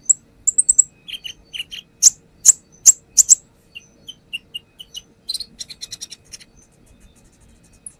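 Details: Singing konin (brown-throated sunbird) for use as a lure: high chirps and lower chattered notes, four loud piercing strikes, soft spaced chips, then a fast fading twitter.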